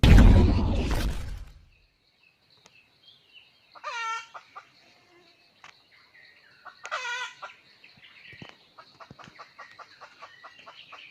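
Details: Wild red junglefowl rooster, lured with a hen, recorded 17 March 2020, gives two short harmonic crows about three seconds apart after a loud rumbling burst at the start, followed by a run of soft, clipped clucking notes.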